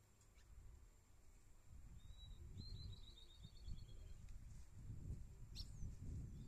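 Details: Caged white-throated seedeater circling its cage to fight: a high, fast rattling trill of about two seconds, opening with a thin whistle, later a single sharp note, over steady low rumbling background noise.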